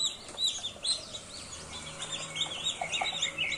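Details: Newborn domestic chicks cheeping in a busy flock, many high arched peeps overlapping and repeating rapidly, with a faint low hum beneath.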